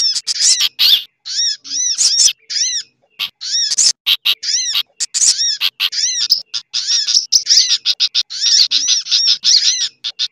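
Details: Combined sogok ontong sunbird lure, mixed with bulbul and related birds: steady stream of high arched chirps repeated rapidly, nearly continuous with brief breaks.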